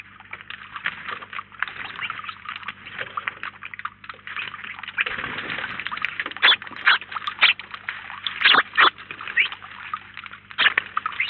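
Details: Flock of house sparrows gathered at a feeder in Collado Villalba, around 19 birds at once, chattering continuously; loud clipped chirps grow more frequent and prominent toward the end.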